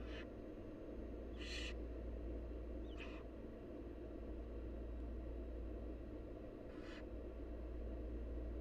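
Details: Barn owl nestlings, wild, calling while the mother brings food: rasping hissed shrieks, four of them at uneven gaps, one with a short rising edge, over constant low-pitched background rumble.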